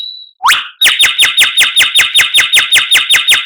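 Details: White-rumped shama phrase: a rising upslurred whistle, then a long, even series of sharp, identical chipping notes, about two and a half per second, steady to the end.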